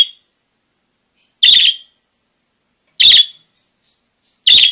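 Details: Parakeet giving loud, sharp, harsh chirps, single bursts spaced about one and a half seconds apart, with silence between them.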